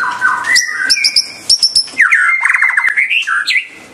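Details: Song of a white-rumped shama: varied whistled phrases with rapid repeated stuttering notes, upward slurs and buzzy squawk-like elements, full and rich throughout four seconds, no other sounds evident.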